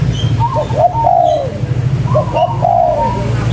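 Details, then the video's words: Local spotted dove calling vigorously in the cetrekan style: two phrases, each a short stuttering pair of notes followed by a longer, slightly falling mellow coo, over a steady low hum. "Suara Tekukur Lokal Gacor, Cetrekan‼5 Detik Auto Nyaut"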